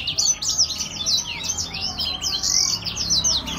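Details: Grey singing finch singing in gacor style: a fast, unbroken stream of high, sharp twittering notes with quick rising and falling slurs, bright and lively throughout, over a faint low hum.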